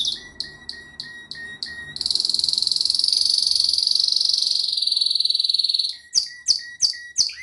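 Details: Canary in pleasant song: a row of clipped whistled notes, a long dense buzzy trill lasting several seconds, then separate sharp sweeping notes again.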